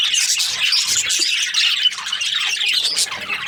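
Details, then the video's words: Chirping Australian budgerigars form a constant busy wall of high scratchy warbling and squawky chirps with no pauses. "Australian budgies chirping sound"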